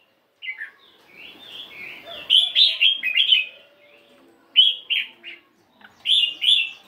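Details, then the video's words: Chinese hwamei, a 72-gram fighting bird, practising morning song: short bursts of loud, slurred whistled notes separated by silent gaps, in a quiet setting. "Tiếng Chim Hoạ Mi Chiến 72gam Hót Đảo Giọng Rất Hay."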